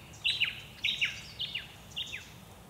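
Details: Nankeen kestrel, one of a pair, at Scheyville National Park, NSW, in June 2017: four sharp, high, downslurred notes, each with a quick stutter, spaced roughly 0.6 seconds apart, over a faint low background rumble.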